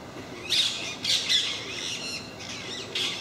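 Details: Harsh, grating squawks from a parakeet flock that regularly visits MK park, given in three loud bursts close together, then softer rasping and one last screech.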